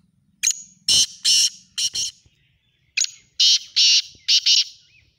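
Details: Black francolin calling in the chakri tournament style: two loud, harsh phrases, each of four rasping, broadband notes over about a second and a half, separated by a short pause, against a quiet background.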